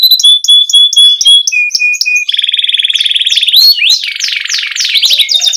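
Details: Singing canary, a lure recording to coax young canaries into song: fast repeated high chip notes, a steady tone, a long rapid buzzing roll, then a series of quick falling whistled sweeps.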